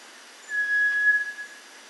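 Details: Cinereous tinamou (Crypturellus cinereus) song: one pure, level whistle under a second long at steady pitch, swelling and fading softly, over a faint, quiet background.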